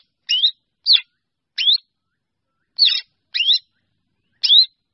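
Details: Drongo calling to its flock: six short, harsh, rising notes, each a quick upslurred squeak, spaced irregularly about half a second to a second apart, with clean silence between.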